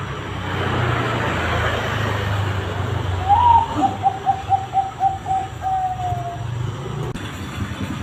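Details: Zebra dove lure song used to prompt other doves to sing, a run of about ten short hooked coos over three seconds, rolling along at an even pace against a steady rumble of passing traffic and faint voices.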